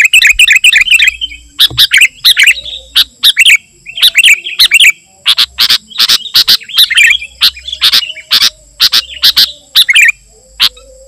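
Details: Sooty-headed bulbul song for calling wild birds and tutoring caged ones: liquid, chattering phrases mixed with many sharp, clicking bursts between them.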